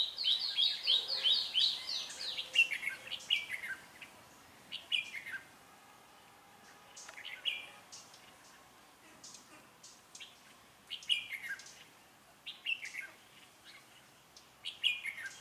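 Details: Red-whiskered bulbul singing as a decoy while trapping wild birds in Vietnam on 16 January 2017; it opens with a rapid run of loud whistled notes, followed by scattered chirpy phrases and bursts from several birds, strong throughout.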